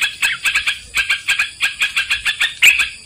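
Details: Trucukan, or sooty-headed bulbul, in a trapping lure: a regular series of short chirping notes, about four per second, ending in a louder, sharper note.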